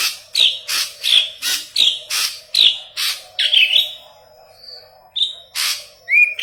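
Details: Intense song of a yellow-headed leafbird, a training recording for Cucak Ijo: a quick run of sharp, bright chirps about a third of a second apart, then a pause and a few whistled notes ending in a rising sweep.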